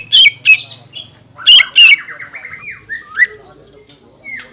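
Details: Green leafbird song used to rouse rival birds, including mimicry of kingfisher and shama voices. Harsh high squawks and chips are followed by slurred falling whistles, with a low hum running beneath.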